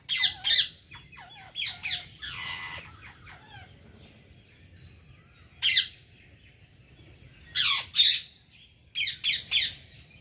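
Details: Ringneck parrot calling: loud, harsh screeching bursts, often in quick pairs or triplets, separated by quiet gaps of one to three seconds, with a faint steady high whine in the background.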